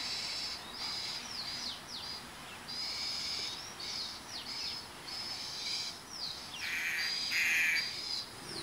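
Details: In September at Shenzhen University, a young Asian koel, still not foraging on its own, gives high, thin downslurred squeals in quick succession, broken by a few harsher, raspy screeches toward the end.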